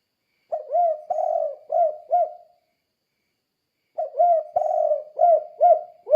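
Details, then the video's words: Low mellow coos from a spotted dove, in the 'kuk 2' style, meant to train other doves to sing: two phrases of four to five coos each, separated by a silence of about a second and a half. "Suara Burung Tekukur Kuk 2 Gacor Untuk Melatih Tekukur Lain Biar Ikut Gacor"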